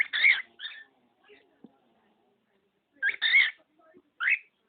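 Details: Male budgerigar kept as a pet, imitating spoken words and phrases and a human sneeze: two raspy, speech-like bursts about three seconds apart, each followed by a shorter chirped syllable, in a quiet room.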